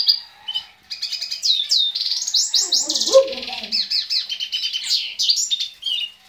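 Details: Captive male European goldfinch in breeding condition, which has mated with canaries, sings choppy phrases of rising and falling chirps and a fast buzzy trill; softer lower warbling notes are briefly heard in the middle.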